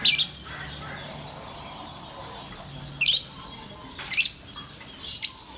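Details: Green lovebird, a pet parrot, chirping: sharp high broadband chirps and squeaks come in short bursts about once a second, some doubled or trebled, with quiet low hum between.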